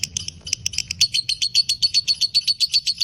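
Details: Fighter lovebird in a long ngekek chattering song, high shrill notes repeated rapidly about four per second in a steady even run, low rumbling background noise.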